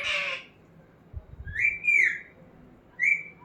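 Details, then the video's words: Talking parrot kept as a pet gives a brief raspy syllable followed by two rising, wavering whistles separated by a pause, with soft thumping in the background. "Talking parrot Mitthu"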